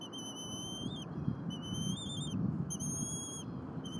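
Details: Young bald eagle begging at its nest at Berry College in Rome, Georgia, 4.10.22, during a squirrel delivery and feeding by the parents. Long, level, piercing whistles come in three repeated bursts above steady low noise.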